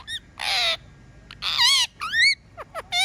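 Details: Household talking parrot giving a long harsh grating squawk, a second hoarse call, then a clear upward-swooping whistle followed by quick downward chirps and one more rising note.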